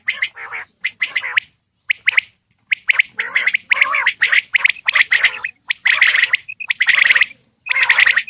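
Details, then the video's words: Male Coturnix quail giving a calling sequence of loud, rough, squawky bursts, roughly one a second at an uneven pace, each a crackling cluster of fast notes. "Male Coturnix Quail Calls / Sound"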